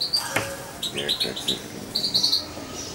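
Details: European goldfinch fledgling around two months old, hand-reared with a syringe: bright high chirps in short groups and a rapid twittered string near the end, with some soft low sounds and clicks in between.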